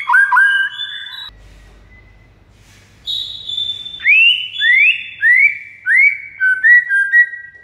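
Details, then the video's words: White-rumped shama master song intended to get other shamas responding: a brief whistled burst, a pause with low hum, then a series of rising whistled slurs repeated roughly every half to one second. "GAK PAKEK LAMA MURAI MANAPUN AUTO RESPON DENGAR MASTERAN MURAI BATU SATU INI"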